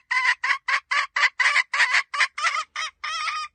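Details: Hen giving a rapid run of about eleven short, harsh, nasal clucks, roughly four per second, ending in one longer drawn-out note.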